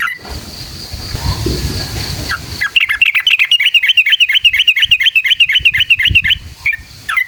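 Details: Sooty-headed bulbul song used to stir other bulbuls into singing: hissy background noise, then a long rapid chattering run of bright repeated notes lasting several seconds, ending in a few separate calls.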